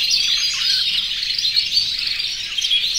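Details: Aviary chorus of more than 100 canaries in breeding condition, singing to attract females; bright overlapping chirps and rapid trills blend into one unbroken high-pitched wall of song.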